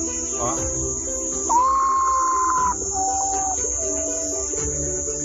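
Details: Common potoo (urutau) five-note song: slow, mournful whistles stepping down in pitch, a long held note sliding lower, over a steady high hiss and faint voices; heard at night.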